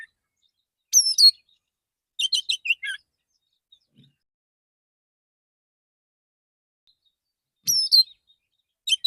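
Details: Male Oriental magpie-robin in the morning, singing in a relaxed voice to call other magpie-robins; high whistled notes sliding down, then a quick burst of chirps, with long silent gaps between phrases.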